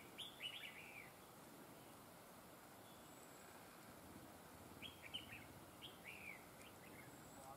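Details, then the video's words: Red-whiskered bulbul used for trapping, said to sing linked double phrases; a quick warbled phrase at the start, then two more later, soft and slurred, with faint hiss throughout. "chào mào GIỌNG CỰC HAY CÓ GIỌNG KÉP NỐI"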